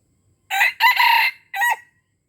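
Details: Red junglefowl crow recorded in Aceh and used to attract wild junglefowl. One quick crow sounds like a short rasping note, a drawn-out buzzy middle and a short closing syllable, in a quiet setting.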